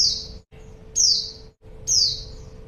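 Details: Female white-eye calling to lure a male: high, thin, descending slurred notes roughly once a second, three in a row, each sharp at the start and fading away, with a faint background hum.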